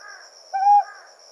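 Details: Ryukyu scops owl at night in the Yaeyama Islands, where male and female call back and forth: a single short, level, hollow note lasting under half a second, set against a steady high insect drone.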